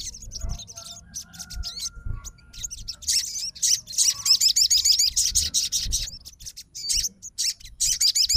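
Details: Crested jay, a fighter bird, responding at once to another crested jay's song: rapid, high-pitched chattering notes in dense repeated bursts, growing almost continuous from the third second, over a soft low background rumble.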